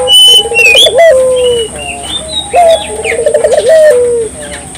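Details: Singing Barbary dove, used to provoke local doves into song: two low coo phrases, each a brief upward note, a wavering rolled middle and a long descending end, with scattered higher chirps and a faint steady hiss.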